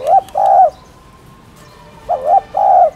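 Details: Spotted dove coos, kept to rouse caged doves into cooing: two soft hooting phrases, each a brief rising note followed by a longer sustained coo, separated by a pause of about a second and a half.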